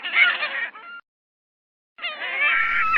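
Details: Gull uttering two strident, honking calls separated by a second of silence, the second call longer and steadier with a raspy, wailing tone.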